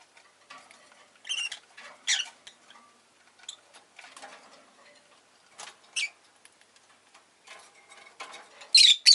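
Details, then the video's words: Scattered short, rasping chirps from a pet rosy-faced lovebird amid soft scratching and tapping, ending in a loud burst of harsh calls. "Lovebird Chirping Sounds"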